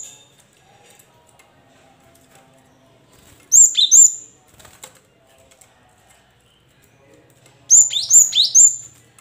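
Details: Caged cinereous tit singing as a lure to prompt reluctant caged birds to sing: two bursts of sharp, high whistled notes, each dropping steeply in pitch, repeated two or three times, separated by about four seconds of near silence.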